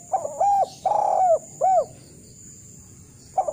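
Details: Kuk 1 style calling of a Eurasian collared dove, kept as training material for birds: a quick double coo, a long wavering coo and a short final one, followed by silence and a new start.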